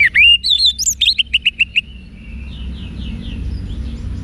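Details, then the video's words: Orange-headed thrush 'wiksar' song for training caged birds to answer boldly: looping whistles sweep upward, then a string of about seven evenly spaced short chirps, trailing into faint softer notes. "ANIS MERAH Manapun Bakal Nyaut Berani Untuk Figther Saat Didengarkan Kicauan Wiksar Ini"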